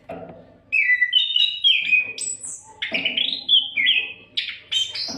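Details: Oriental magpie-robin in unbroken song for training songbirds: after a soft start, loud fluting whistles stepping up and down, a piercing high note, and scratchy bursts, with a faint hum below.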